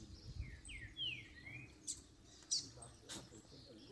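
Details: Double-collared seedeater song from a post-moult bird, meant to excite other seedeaters into singing: a run of slurred, falling and rising whistles opens the clip, then sharp high clicks follow.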